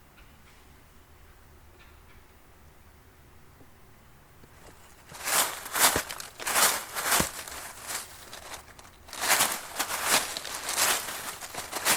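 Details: A quiet outdoor background, then irregular crunching footsteps and rustling through dry leaves, with no animal calls.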